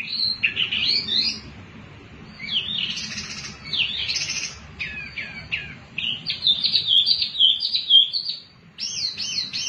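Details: Lively wambi mini song used to draw other birds into singing: dense chattering phrases of quick high notes, jerky trills and twangy repeated figures, roughly two elements a second, over a low background hum.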